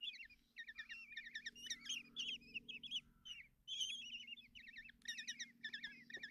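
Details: Morning feeding at a common kestrel nest box in Tiszalök, Hungary, 30 June 2024, as the mother feeds the chicks: quavering, warbling high-pitched calls in uneven bursts, some brief gaps, and a steady low hum underneath.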